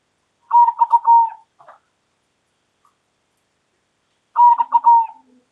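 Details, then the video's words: Local zebra dove calling loudly: two separate one-second cooing phrases, each a steady low coo broken by three quick stuttered notes and ending in a drawn-out, slightly falling tone, with a short soft chuckle after the first and quiet pauses between. "Perkutut Lokal Gacor Suara Lantang"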